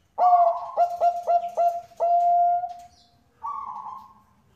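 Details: Bangkok-type zebra dove, described as a female calling the male, used to lure other doves into singing: a rich opening coo, then four clipped, evenly spaced hollow notes, one long sustained coo, and after a pause a final higher warbled note.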